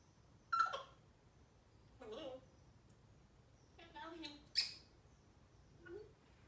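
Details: African grey parrot saying "good morning", with short speech-like syllables spaced over several seconds, one sharp high squeak, and a quiet room behind.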